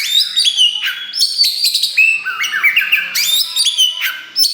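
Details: Kacer wulung, a black Oriental magpie-robin, sings loudly while newly tail-pushing. Its song is used to prompt and provoke other birds. Fast, varied clear whistles step up and down with rapid trills and sharp high notes, continuous throughout.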